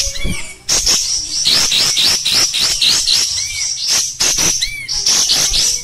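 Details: Oriental white-eye in full 'kasar gacor' singing: steady high chattering with a thin sustained tone on top, occasional short arched whistles and dense rhythmic chirp bursts.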